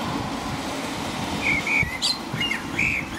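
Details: Blackbird singing at night in the rain in England, around 5 a.m.: short fluted whistles and a couple of rising notes with a squeaky high flourish, set against constant rain hiss and a low rumble of distant traffic.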